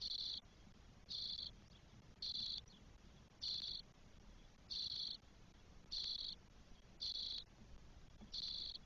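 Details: Loud harsh buzzing from four 12-day-old spotless starling chicks in a Spanish nest, June 2022. Regular half-second rasps come about every 1.2 seconds, with little else audible.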